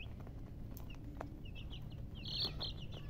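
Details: Baby chickens chirping: a few thin, high, downward-slurred peeps, sparse at first and then a louder burst of overlapping chirps near the end, over a steady low rumble.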